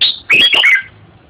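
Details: Close, loud Red-whiskered bulbul phrase: a high whistled note, then a rich rolling warble of quick notes sliding downward and fading out.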